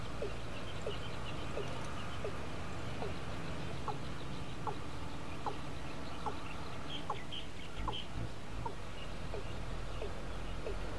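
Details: Hidden male watercock at Ayutthaya, Thailand, recorded 20 May 2014, giving a long run of brief upswept notes at an even pace, over constant low rumble and scattered high-pitched calls of other birds.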